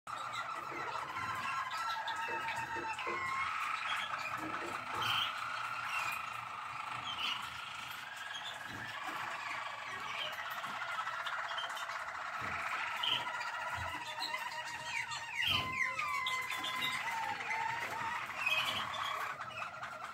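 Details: Malinois waterslager canary recorded 12 December 2023, singing a continuous, low, bubbling song of rolling trills and liquid tours.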